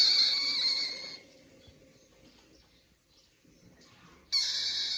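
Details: Rosella giving a raspy, grating screech lasting about a second, a quiet stretch, then another short harsh burst at the very end.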